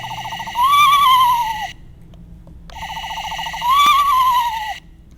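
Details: A screech owl, a small owl common in Indiana, gives two horse-like whinnies about three seconds apart, each starting as quick pulsed notes, then swelling into a quavering tone that slides down.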